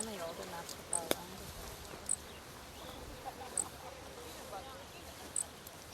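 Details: Grasshopper sparrow in a bush in a partially restored prairie grassland, collecting food for young, giving four tiny, very high 'zit' notes one to two seconds apart, with a man talking and soft outdoor hiss.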